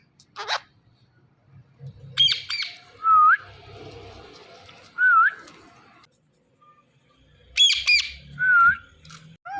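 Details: Indian ringneck parrot, a talking bird, giving clear, dipping whistles about every two seconds, mixed with short sharp squawked bursts, in a quiet setting.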